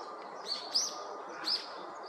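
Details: Red-flanked bluetail calling, the calls described as excitement when other mountain birds flock in; three short, high, thin chirps, the middle one slightly rising, over a steady broadband hiss with faint chirping from other birds.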